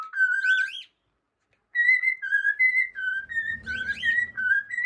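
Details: Pet cockatiel whistling a tune of clean, sustained notes stepping up and down in pitch, opening with a warbled flourish, then a pause and a longer phrase of linked tones with faint background rumble.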